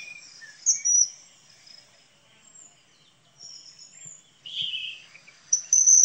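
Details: Common kingfisher (Alcedo atthis) calling with shrill, thin, high whistles in short scattered bursts and a lower rasping note midway; otherwise quiet.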